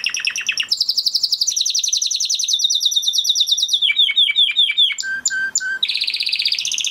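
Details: Spanish Timbrado canary with a crest, bred in 2020 and kept in a flock, sings a training song of fast rolling trills, a run of dropping slurred notes, held low whistles and a final buzzy trill.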